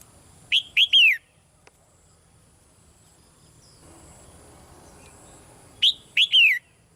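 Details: Softly calling caged female red-whiskered bulbul, prompting a male to sing more strongly. Two phrases of short whistles ending in a long descending note, about five seconds apart, with quiet hiss between.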